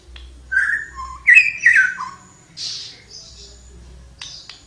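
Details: Flowerpecker in full song: a whistled note, a lower short note, then a quick run of bright twisting whistles ending on a low note, followed by hissing bursts.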